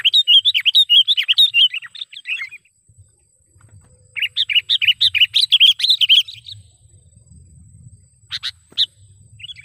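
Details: Sooty-headed bulbul lure call, used for trapping wild bulbuls and as a tutor recording: two bursts of rapid, bubbly chattering notes, each lasting about two seconds, then a few sharp single notes, over a steady high whine.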